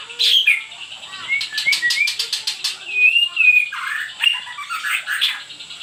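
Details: White-rumped shama song played as a lure so other birds answer: loud clear whistles, a quick burst of sharp clicking notes, then sweet slurred and falling phrases with varied chatter.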